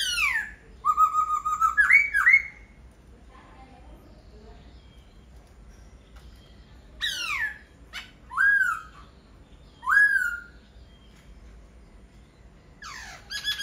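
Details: Laughingthrush in full song: a wavering whistled phrase that climbs at the end, then widely spaced single loud notes, each a steep downward sweep, repeated every second or two.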